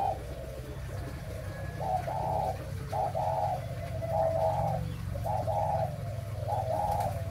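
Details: Spotted dove, a breeding bird of the 'mã phân hồng' type, cooing in a steady series of short two-part phrases, a soft lead note then a longer hollow coo, roughly every 1.2 seconds over a constant low droning hum.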